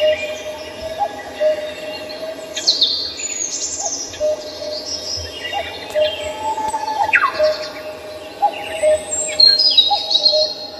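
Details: Birds singing in Samcheong Park, Seoul: scattered high chirps and quick downward-sweeping whistles, with a steady run of short, lower tonal notes repeating underneath.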